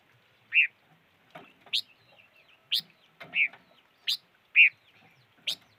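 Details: Bird calling, described locally as a five-coloured bird crying: short bright chirps repeated about once a second, alternating between a rounded note and a sharper upward-flicked note, with faint clicks between them.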